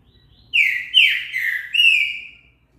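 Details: Green-winged saltator (trinca-ferro) sings a short phrase of loud, rich whistles, dropping and then rising again across about two seconds, with faint low background noise. The song is meant to stimulate other saltators to sing.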